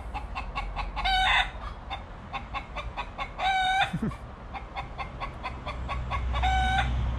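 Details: Backyard chickens on Grand Cayman, Cayman Islands, in the afternoon, near rocky, grassy ground with trees: a rooster gives three short, bright, nasal calls about every two and a half seconds, with quick clucking between them over a low background rumble.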